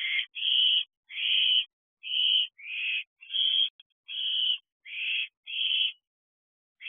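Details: Barn owl owlets, older siblings spending time together in an owl box at night around 2 am in early July 2023, near dispersal age; a run of nine rasping, hissy screeches in close succession, each under a second, with short silent gaps.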